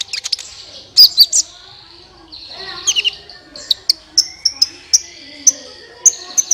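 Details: Sunbird song used as a lure to set other birds singing: sharp high chirps and short buzzy bursts, with a thin sustained whistled note between, notes spaced irregularly about half a second apart.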